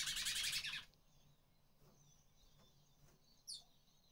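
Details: A male finch (bullfinch/picolet type) courting a female sings a fast, dense burst of bright, high twittering notes that stops abruptly; after a quiet pause, one sharp high note follows.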